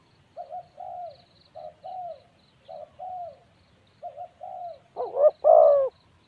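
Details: Quieter paired spotted dove coos repeat four times. Then a louder, wavering coo phrase sounds close by, with faint high ticking in the background.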